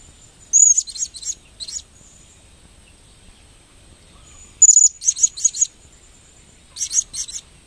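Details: Blue-crowned hanging parrot giving three clusters of shrill, very high-pitched squeaks, each a sharp opening note followed by rapid stuttering chips, with short silent gaps between bursts.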